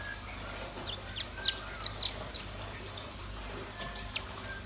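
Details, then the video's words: High, thin chirped notes from red-billed nuthatch and white-rumped shama, spaced evenly in a run of about seven, about three per second, over soft background hiss. "Suara kicau burung rambatan paruh merah dan murai batu gacor"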